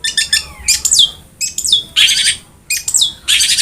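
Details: Long-tailed shrike sounds meant to prompt a quiet caged bird to sing: quick chattering notes leading into loud harsh, rasping bursts with thin down-slurred whistles, repeated in three phrases.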